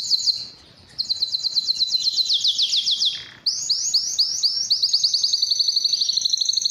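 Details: Canary, possibly Belgian, singing to draw females for mating: a short burst, a silent gap, a long fast buzzy trill, another pause, then slower upswept notes leading into a rapid high rattle.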